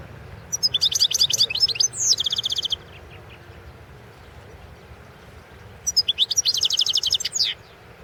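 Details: Goldfinch from a 2016 world championship singing contest: a twittering burst leading into a slurred note and a rapid even trill, then after a pause another bright chattering phrase.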